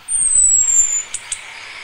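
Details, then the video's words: Female Orange-headed thrush ready to breed, calling for a male with one long, very high, thin whistle drifting gradually lower, followed by two faint clicks. "ANIS KEMBANG BETINA MEMANGGIL JANTAN"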